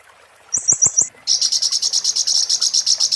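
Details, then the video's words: Oriental white-eye singing the 'muntah beling' song used to tutor magpie-robins: a short buzzy four-note burst with clicks, then a steady, fast, shrill trill of evenly repeated notes. "master konin muntah beling"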